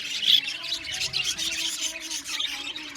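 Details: Budgerigars in an aviary colony singing and chirping: a dense chatter of overlapping high warbles and chirps from many birds, with faint steady tones lower down.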